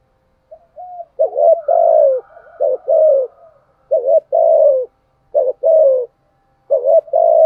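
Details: Spotted dove used as a lure against rival males, repeating loud clipped-then-falling coo phrases about every one and a half seconds after a few soft opening notes.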